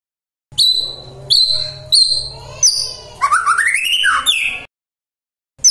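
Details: Magpie-robin used to stir rival birds into responding: several sharp, high repeated notes, then a rising, buzzy run of fast slurred whistles ending abruptly, with a faint low hum beneath.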